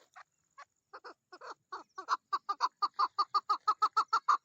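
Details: Female chukar partridge in mating season calling: sparse hoarse clucking notes that quicken and swell into a steady, loud chuk-chuk run of about three per second.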